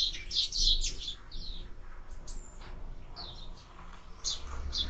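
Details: Sparrows at a bird feeder recorded by a bird camera: a dense flurry of high chirps at the start, then sparser single chirps and short bursts, with faint low rumble.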